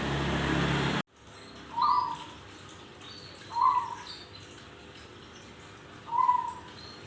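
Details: Zebra dove giving a strange call: three short, low, slightly rising notes about two seconds apart, after a burst of loud broadband noise at the start, with a faint steady background hum throughout.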